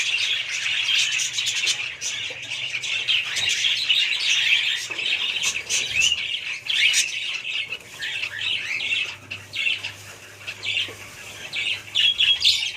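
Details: Budgerigars chatter in a long, busy, high-pitched warble, loud at first, then thinning into separate chirps and squeaks toward the end, with a faint low hum.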